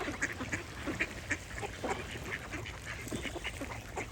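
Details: Short duck quacks come every half second or so among busy bird chirping, with harsh bursts early on and a softer chorus of notes later over low background noise.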